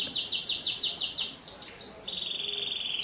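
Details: Domestic canary singing, used as a lure song to prompt young canaries: a run of rapid descending sweeps repeated about three per second, then a steady high trilled roll.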